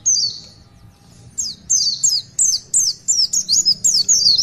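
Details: Oriental white-eye singing long 'tulitwitwit' song: one high descending whistle, a short pause, then a quick series of about ten sharp, downward-slurred notes in uneven rhythm.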